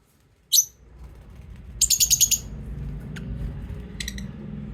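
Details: Pet lovebirds give high, sharp chirps: one lone note, then a quick run of about six chirps, then a short burst near the end. The background is a quiet, low room hum.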